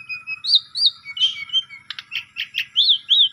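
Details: Short burst of Asian pied starling song serving as a lure for a sulking starling, mixing clear whistled slurs with harsh scratchy notes, ending in loud looping whistles.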